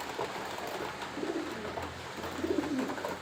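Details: Free-range flock of fancy pigeons giving soft, low cooing phrases, one near the start and a longer rolling coo near the end, over a steady background hiss.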